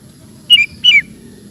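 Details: Ropel-style song of a sooty-headed bulbul: two clear, loud, downslurred whistled notes about a third of a second apart over faint background hum.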